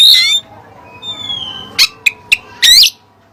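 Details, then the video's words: Oriental magpie-robin with Cililin song material: a harsh scratchy burst, a thin falling whistle, then three sharp clipped notes and a final buzzy flourish, with quiet pauses between. "Burung Kacer Isian Cililin"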